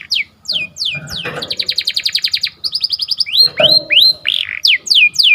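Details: Lively canary singing in the morning. Quick falling slurs lead into a fast, even trill of repeated notes, then looping whistles that rise and dip, ending in more descending slurred notes.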